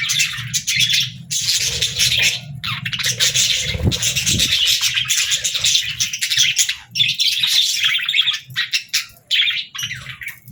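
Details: A flock of budgerigars chatters and warbles in long stretches broken by short gaps. A low rumble sits beneath, with a deeper thump near the start.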